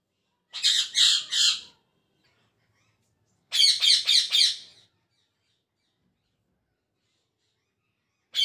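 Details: Pet parrot chirping in the morning: quick bursts of three to five rapid, harsh harmonic notes, separated by silent gaps of a few seconds.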